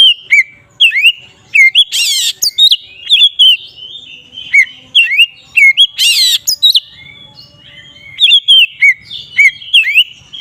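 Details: Oriental magpie-robin delivering ngeplong song, meant to provoke rival magpie-robins: long run of varied sweet whistles, quick upslurred and downslurred notes, with two loud scratchy rasping bursts spaced apart.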